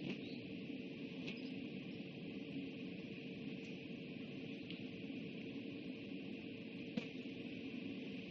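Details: Quiet electrical hum and static hiss persist, broken only by a few faint clicks, with no animal voice.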